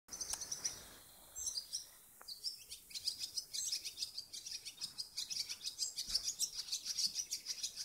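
Barn swallow twittering: a fast, high, chattering stream of chirps and squeaky notes, about three per second, with brief whistled phrases mixed in.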